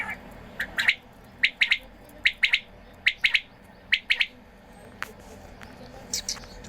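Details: Quails at watering time calling steadily: crisp three-syllable phrases, each a short quick triple, repeated about once a second over a low background hum.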